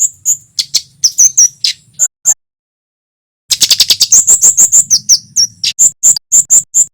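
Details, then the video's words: Persistent wild-style song of a male olive-backed tailorbird (kemade jawa, cit keres): bursts of sharp, high chirps and quick slurred notes, a brief silence, then rapid evenly repeated piercing notes, about three per second. "Suara kemade jawa / cit keres gacor"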